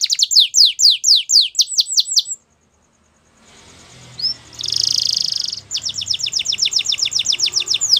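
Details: Wild canary singing in the morning: fast rolling tours of high, downward-sweeping notes, a short silent pause, then a buzzy trill and another rapid repeated-note tour.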